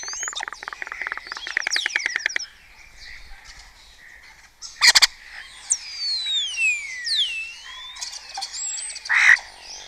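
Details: Colony starlings at dawn in Cabañeros National Park, Spain, imitating other birds such as kites, orioles, quails and storks; a rapid clicking rattle opens, followed by looping slurred whistles and a harsh burst, with a steady chattering backdrop.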